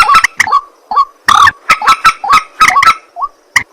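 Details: At night a white-breasted waterhen utters a sequence of coarse nasal grunts and croaks, roughly three per second, with one longer squawk in the middle.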